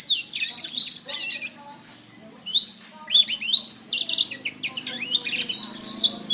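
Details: Domestic canary singing a training master song: bursts of high, bright warbles and quick descending slurs separated by short quiet gaps, over a faint low hum.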